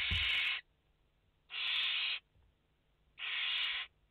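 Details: Nest of five barn owl chicks, 29 August 2021: three loud, even, breathy screeching hisses, each lasting over half a second, spaced about one and a half seconds apart, in a quiet nest box.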